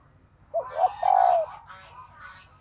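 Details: Female dove call to stimulate males: a short rising note, a second one, then a long, smooth, slightly descending coo, followed by fainter calls of other birds over a low hum.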